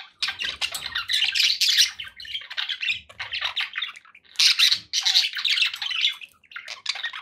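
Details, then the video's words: Pet budgerigars kept as happy bird company, giving dense warbling chatter and squawky chirps in bursts, broken by short pauses, with a faint low thump at the start. "9 hours of budgie sounds to keep your pets in happy bird company"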